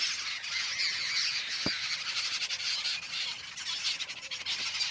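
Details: Jungle babbler (Argya striata), call.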